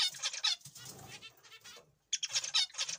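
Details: Young zebra finches (Taeniopygia guttata) being fed give bursts of high, nasal, buzzy chatter in quick runs, broken by a short pause and some soft low rustling.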